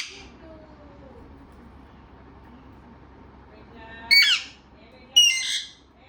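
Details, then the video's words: Talking parrot, mostly quiet at first with faint murmurs, then two loud grating squawks about a second apart, each trailing into a rough rasp. "बातुनी तोता"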